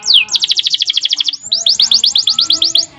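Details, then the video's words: Canary singing energetically in a training recording for other canaries: a falling whistle, then a tight rapid trill, a brief pause, and a faster series of downward-sweeping notes. "Masteran suara burung kenari GACOR ngerol PANJANG seept rapat || kenari lain ikut EMOSI"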